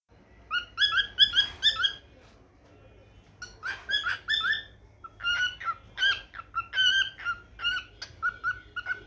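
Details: Pet cockatiel singing in the morning: bursts of harsh, buzzy chirps with stacked overtones, quick clusters separated by a short pause, then a run of repeated chirped notes.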